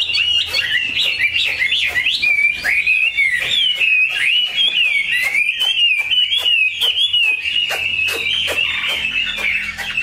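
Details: Vietnamese cage-kept Chinese hwamei producing a steady, fluid song of looping whistled phrases that wave up and down, interrupted by regular crisp clicking sounds.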